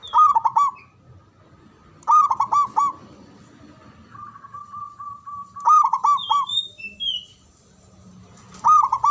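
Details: Loud Javanese zebra dove used to stir breeding and fighting spirit: repeated rolling coo phrases with a drawn-out trill between them, plus a few high, thin chirps from another bird.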